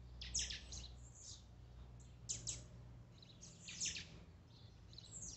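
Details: High, buzzy Blue-black grassquit phrases meant to excite a kept bird: a few descending buzzes in small clusters roughly every one to two seconds, over a low hum.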